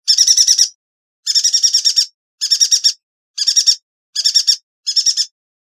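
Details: Six evenly formed rattling trills from a yuhina, each a rapid series of sharp high pulses under a second long, separated by brief silences; recorded to tutor songbirds, with no other sounds.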